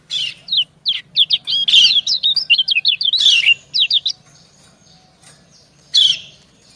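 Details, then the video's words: Female white-eye answering a male in a calling exchange. About four seconds of fast, closely packed high chirps and twitters, then quiet with faint ticking, and one louder rasping burst near the end. "Suara ciak kecial betina mendayu merayu jantan"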